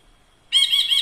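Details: A faint thin tone gives way to a loud, wavering, buzzy rasp from a caged ashy bulbul tutor bird, pulsing several times before being cut off.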